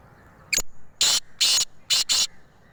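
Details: Harsh rasping phrase from a black francolin in Sindh, Pakistan: a brief clipped opening note, then four loud scratchy notes, the last two paired closely, all within about 1.3 seconds against a faint low hum.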